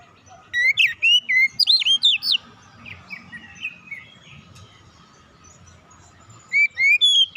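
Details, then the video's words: Oriental magpie-robin singing relaxed song, used as a lure to get young untrained birds singing quickly: two bursts of loud, quick, sweet whistled notes bending up and down, separated by a long quiet gap over a faint low rumble. "kicauan nyantai pancingan ampuh Kacer bahan cepat gacor"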